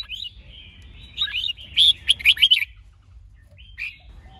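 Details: Red-whiskered bulbul male in a female-assisted training session: soft slurred whistles, then a loud quick cluster of bright notes and a final short phrase.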